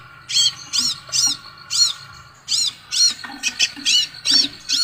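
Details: Scarlet sunbird uttering rapid, strident high notes in quick runs, about two per second, with a short pause midway and a low background hum.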